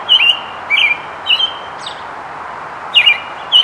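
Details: An American robin, singing and foraging while collecting nest material, gives short, sharp, high chirped notes spaced unevenly about every half second to second over a steady outdoor hiss.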